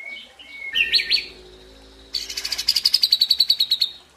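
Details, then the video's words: White-rumped shama (murai batu) with 'tembakan' and 'isian' song: a couple of bright rising whistles, a pause, then a quick regular string of sharp high notes, about fifteen in rapid succession. "Dahsyaaatt Tembakan & Isian Murai Batu // AmAzing Bird chirping like no tommorow"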